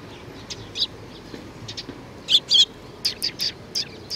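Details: Sparrows coming to be fed at a Tenmangu shrine on 25 April 2019: a loose run of short, sharp, high chirps, some single and some in quick pairs, growing busier toward the end over a quiet outdoor hush.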